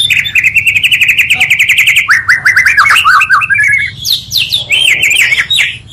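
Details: Oriental magpie-robin song combining two singers to provoke rival magpie-robins: a rapid rattling trill for two seconds, then jumbled whistled slurs, chirps and upsweeps in quick succession.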